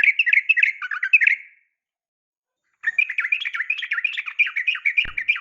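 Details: Female Sooty-headed bulbul calling to a male for training kept bulbuls; busy twittering chatter of quick high notes in two bursts, the second longer, split by about a second of silence, ending with a soft thump.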